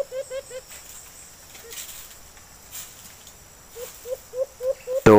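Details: White-eared brown dove: a wild bird approaches and calls back at a decoy bird during trapping, in quick runs of four or five short, low, hollow hoots, with faint hiss and a sharp knock at the end.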